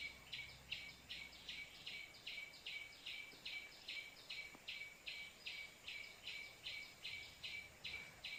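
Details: White-breasted waterhen call, used as a trapping lure. Over eight seconds, around twenty grating notes run in a steady, unbroken rhythm of roughly two and a half per second, with faint low background noise.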